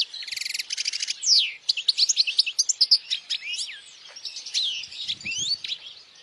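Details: Goldfinch song used to teach young goldfinches and bring in females: opens with a fast buzzy rattle, then a steady string of sweet twittering chirps and slurred whistles, fading into softer calls.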